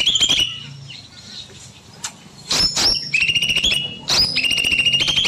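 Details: Small bulbul singing long and continuously in an aviary in the evening: a short chatter, a pause with faint chirps, then two loud, buzzy, rapid phrases with a steady high tone, one after another.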